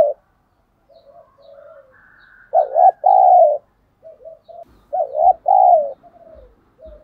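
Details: Spotted dove used as a decoy, cooing to draw rivals in; soft introductory notes lead into two strong, husky low coos, then another loud pair follows with faint trailing coos and light knocks.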